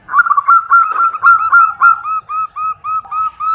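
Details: Female zebra dove calling a male: a loud, even string of short, hoarse, arched notes at about four per second. The notes are crowded at first, then evenly spaced.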